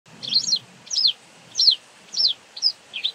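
A White Wagtail gives sharp, high, slurred chirps in a steady series, about one every half second, with a faint low rumble underneath.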